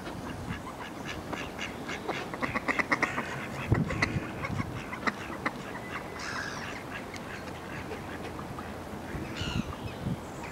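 Mallards quacking in short, raspy bursts, several overlapping calls clustered in the middle, against a steady background hiss.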